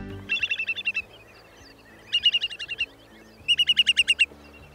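Whimbrel giving three quick, even rippling trills of about seven whistled notes each, bright and high, over faint background hiss.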